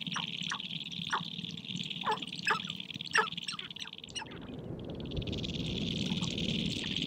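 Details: Courtship gathering of sharp-tailed grouse on prairie hilltops in spring, birds dancing and fighting: a run of short, rough barks and clucks over about four seconds, then a broad low rumble with a high hum.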